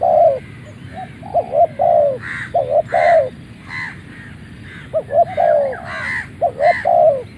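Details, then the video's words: Malay-line spotted dove used as a ground decoy, crowing straight after coming out of its box: low, rolling coos in clustered bursts, with sharper, higher chirps and clatter mixed between the phrases. "นกเขาใหญ่ต่อดิน เจ้ามหาชัย | ออกจากกล่องได้ขันเลย"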